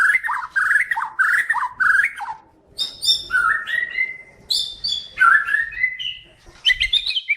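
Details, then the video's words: Breeding-ready white-rumped shama song meant to stimulate mating: varied whistled phrases, rolling slurred notes alternating with higher buzzy bursts and a long level whistle, rich and continuous. "Suara pancingan murai batu cepat birahi dan minta kawin."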